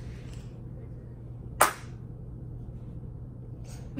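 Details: A single sharp crack breaks through a low steady hum and quiet background, with no animal calls.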